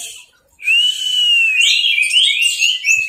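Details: Caged Orange-headed thrush in teler style: after a brief silence a long smooth whistle rises slightly and stretches out, then breaks into rapid slurred, wavering notes to the end.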